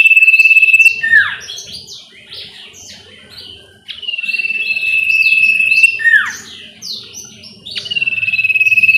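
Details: Sooty-headed bulbul song used as a clear lure recording to make a home-kept captive bird sing actively. Long steady whistled notes with a rapid pulsing quality, each ending in a sharp downward slur, alternate with high twittering phrases.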